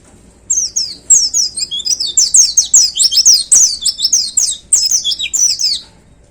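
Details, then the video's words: White-eye kept in a hanging cage sings a 'tembakan' song, a continuous five-second stream of rapid, very high twittering notes, sharp slurs repeated densely with barely a pause, ending abruptly. "Suara Tembakan Dahsyat Pleci Gacor Paling Digemari Para Plecimania Digantangan"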